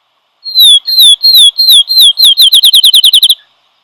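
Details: Field Sparrow song, a bird of open fields with some woody plants: clear downslurred whistles that begin slowly, then speed into a rapid trill, like a dropped ping-pong ball bouncing faster, lasting about three seconds.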